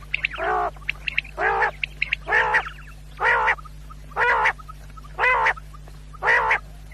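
A quail gives nasal, harmonic calls about half a second long, repeated roughly once a second, over a steady low electrical hum and faint clicks.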